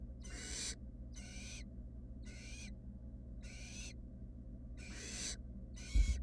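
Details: Wild barn owl chicks, three fluffy nestlings in a camera-monitored nest box, repeat six harsh, noisy hisses at about one-second intervals, some louder than others, ending with a low knock, over steady hum.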